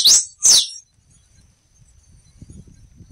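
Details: In the wild, a black-and-rufous warbling finch gives two rapid, loud, high whistled notes sweeping downward, followed by quiet with soft low background rumble.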